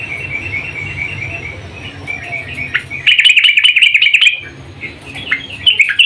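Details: Female yellow-vented bulbul calling the male: soft twittering gives way to a loud, rapid, rattling chatter lasting over a second, then sharp, bright chirps close the recording.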